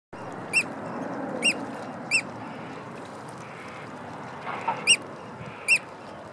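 Eurasian oystercatcher giving loud, shrill piping calls, sharp single notes repeated about once a second with brief pauses, over a steady low background hiss.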